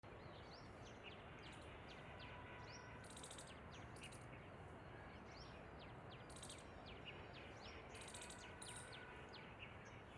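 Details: A family of Asian green bee-eaters in Ahmedabad, India, on 2 December 2022 at 11:20 am gives short, high trilled chirps in quick scattered bursts over a steady hiss.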